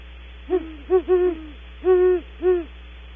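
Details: Great horned owls, a female and then a male, calling while leaving their nest cavity at Audubon Starr Ranch. Five low, hollow hoots are heard, some short and some drawn out, with uneven gaps between them.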